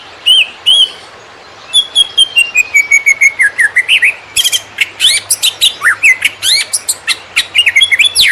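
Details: Greater green leafbird konslet song, recorded as a master to train wild-caught birds: two clear whistles, a descending chain of rapid notes, then busy sharp chips and looping whistles over a faint low hum.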